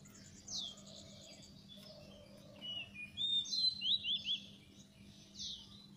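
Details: Oriental magpie-robin song played as a trapping lure: a high buzzy run, then a burst of bright whistled and zigzagging notes in the second half, ending with a sharp descending slur, low hum beneath.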